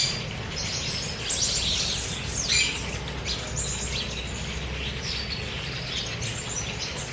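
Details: A group of chopi blackbirds fed in freedom in Cuiabá, Brazil, keeps up a dense stream of high whistles and chirps, with one louder sharp note at about two and a half seconds, over low steady noise.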